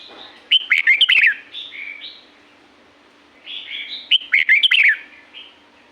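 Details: Red-whiskered bulbul in natural Thai forest at Pa La-u: a lively cluster of quick up-and-down whistles with softer mellow notes trailing after, then a pause and a repeat of the same chattering phrase.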